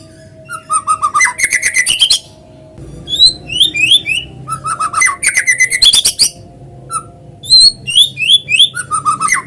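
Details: Natural white-rumped shama song used to lure other shamas into singing: alternating rapid buzzy chatter and sets of three or four sweet slurred whistles, the pattern repeated twice, with a low background hum.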